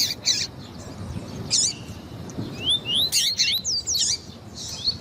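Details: Double-collared seedeater song plus a female's calls, used to warm up another seedeater: a few harsh chirps, then a lively stretch of fast rising whistled slurs and buzzy notes, roughly four per second.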